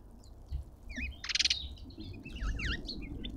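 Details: Cut-throat finches jostling for their share at a garden feeder in suburban Pretoria, South Africa; thin, sliding chirps in short runs, a brief fluttering burst of wings, then several quick V-shaped notes near the end.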